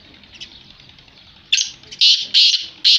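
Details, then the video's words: Black francolin, the kala teetar, calling: after a faint, hissy first second and a half, three loud, harsh, grating bursts come in quick succession, each about a third of a second long. "Kala Teetar Black Francolin / کالا تیتر کی مست اور آواز"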